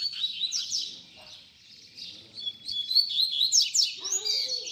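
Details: Young-bird tutoring song of a double-collared seedeater, baderna style: bright, fast chirps and trills, quieter in the middle, then louder and denser, with a lower call at the close.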